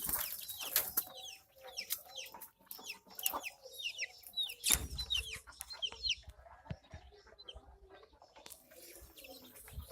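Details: Javan myna reacting angrily when watched while bathing: a fast run of short, sharp, downward-slurred chirps that tumble over one another, thinning out after about six seconds, with scattered splashing clicks throughout.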